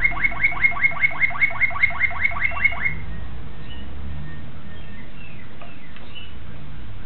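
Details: Young Malinois Waterslager canary, 2009, giving a short series of quick rising notes that stops after three seconds, leaving faint soft tones and low hum.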